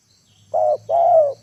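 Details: Decoy spotted dove calling to lure wild birds down to the ground, giving two low, hoarse cooing notes, the second longer and gently falling, against a quiet background.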